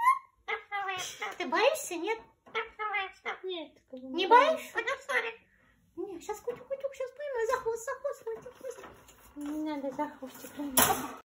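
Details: A talking rose-ringed parakeet kept as a pet chatters in high, squeaky, word-like phrases during play (hide-and-seek, tail-catching), followed by a person's lower, playful Russian speech.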